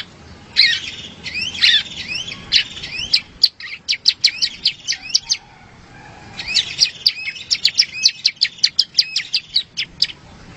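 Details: Bar-winged prinia song used as a master recording for training competition songbirds: bursts of high, sharp rising chirps, then a run of clipped ticking notes, a brief pause, and another quick series of bright chirps.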